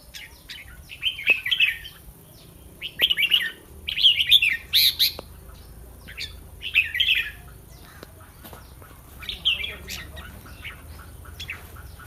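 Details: Thai caged red-whiskered bulbul singing ahead of a song contest: short, rich, warbling phrases of several slurred notes repeated every one to two seconds, with light clicks and faint background chirps between them.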